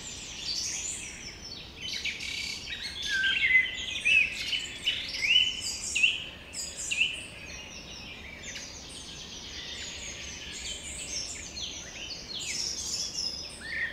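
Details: Spring birds singing over Carlsbad Flower Field, California, USA, a chorus of high chirps and trills in irregular bursts, densest in the first half, over constant environmental background noise.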